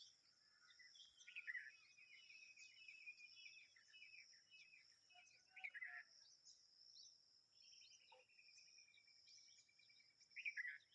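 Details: A baby bulbul that has just come out of the nest gives scratchy chirps and a short falling trill of quick notes, over a steady high insect drone.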